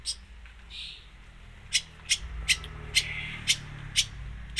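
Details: Long-tailed shrike, known locally as cendet or pentet, singing actively in the "full isian" style, which is full of filler phrases: sharp, high clicking notes repeated roughly every half second over a low background hum.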